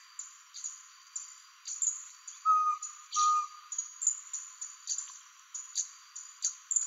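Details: A least pygmy owl at Angra dos Reis, Rio de Janeiro, Brazil, gives two short, clear, even-pitched hoots about a second apart over a steady high buzz and ticking of insects.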